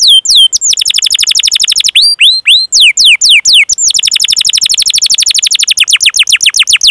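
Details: Long-duration canary song for training other canaries: extended rolls of fast downward-sweeping whistled notes, several per second, broken by brief pauses and a few slower slurred notes, loud and clean.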